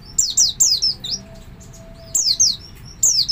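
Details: Oriental white-eye call used as a lure to draw other white-eyes into calling: high, clear descending whistled notes in quick pairs and triplets, with a pause of about a second between groups and a faint steady hum beneath.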